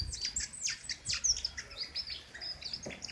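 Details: Brief run of king konin besetan song, sharp and loud, made of rapid high chirps and downward-sweeping notes, repeated several times a second.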